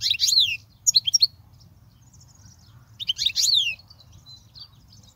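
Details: European goldfinch song played to teach young goldfinches: two bursts of bright, high twittering notes with quick downslurred and sliding tones, separated by a short silent pause, over a faint low hum.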